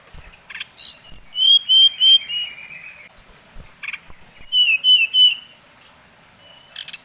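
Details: Lure song of a brown-chested jungle flycatcher from Bali, played to provoke others of its kind. Two bouts of fast clear whistles, high notes dropping into level, slightly trilled tones, separated by a short silence, with faint clicks.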